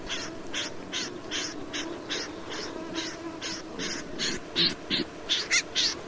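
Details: Snipe calling in a fast, steady series of short, scratchy, buzzy notes about three per second, growing louder and sharper toward the end over low background noise.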